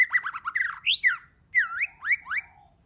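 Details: White-rumped shama singing in varied voices: a rapid raspy chatter, then clear swooping whistles rising and falling, a short pause, and more looping whistled notes.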